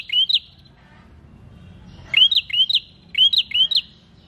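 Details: Prinia song for prompting other birds: one pair of rising chirps, a pause, then a rapid run of four to five sharply upswept notes in close succession.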